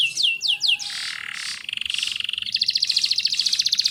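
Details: Canary singing as a tutor for young birds: a few falling whistles, then varied rolling trills and a fast rattling repeated phrase near the end.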